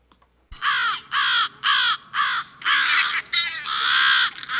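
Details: An American Crow gives its mobbing call, a rapid series of harsh, loud caws, about five in under three seconds; it runs into a longer ragged burst as other crows answer and come to help mob.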